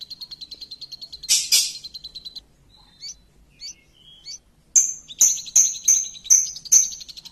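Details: Champion lovebird lure singing: a fast high trill, a loud harsh burst, scattered short whistled notes, then loud ringing chirps repeated roughly twice a second.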